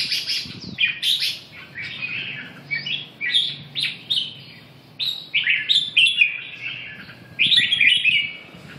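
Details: A red-whiskered bulbul delivers repeated short, rising-and-falling warbled phrases, roughly one every two seconds, punctuated by occasional crackly high notes; quiet room-like background.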